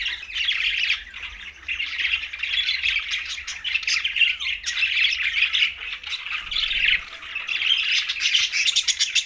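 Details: A flock of green budgerigars chirps steadily, a dense high warbling chatter with scratchy clicks layered on top throughout.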